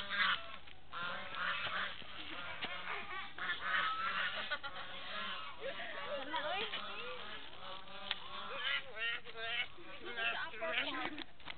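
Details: A noisy flock of geese keeps up overlapping honks and shorter cackling notes, some rising and falling, in a dense chorus with no clear pause.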